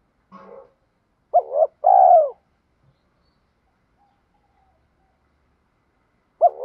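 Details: Spotted dove training call for decoys and newly caught birds. A soft faint note comes first, then a paired coo: a short hooked note and a longer arched one. A long quiet gap follows before the next phrase begins.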